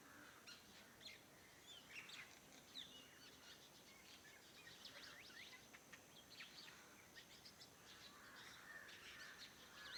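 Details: Morning birdsong around a farmhouse, many high chirps and quick downward-sliding notes overlapping continuously against a faint steady background hiss.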